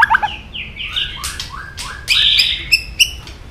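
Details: White-rumped shama singing quietly in a stirring style, mixing slurred whistles with harsh noisy bursts and a couple of sharp high notes, loosely spaced.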